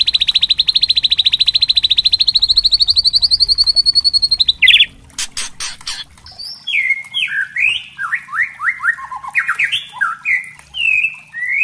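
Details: White-rumped shama used as a singing lure: a fast, even, high rattling trill lasts about four seconds and gradually rises, then harsh bursts, then a varied sequence of swooping whistled notes.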